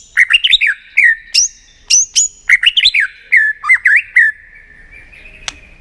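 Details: A tail-flicking white-rumped shama in 'tạch' style, sung to spur other shamas into contest song: bursts of sharp clicks mixed with warbled, rising and falling whistles, fading into quiet near the end.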